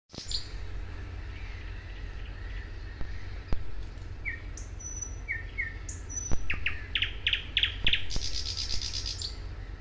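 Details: A thrush nightingale sings at Suomenoja in 2022 with a varied, halting phrase of clear whistled notes and high thin tones, then a rapid series of dry clicking notes, over a steady low rumble of wind or distant traffic.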